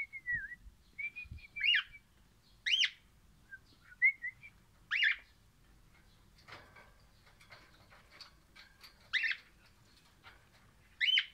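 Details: Happy song of an orange crimson rosella: soft level whistles alternating with sharp, bright upswept chirps repeated every second or two, some faint rustling between phrases.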